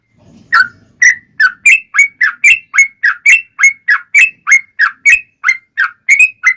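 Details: Yellow-vented bulbul in a lure song for making other bulbuls respond: a steady series of sharp, slightly rising chirped notes, about three per second, with faint low rumble at the start.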